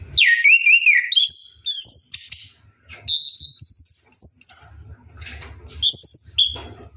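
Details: Orange-headed thrush singing while bathing at night: varied whistled phrases, a wavering rolling trill near the start, then bright high slurred notes and sharp chirps, with low rumbling background noise.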